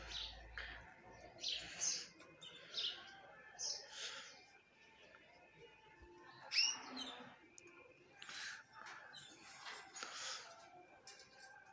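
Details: Belgian canaries (Serinus canaria domestica), shown eating kale, bathing and sunning, give high, bright chirps and short warbled phrases in scattered bursts.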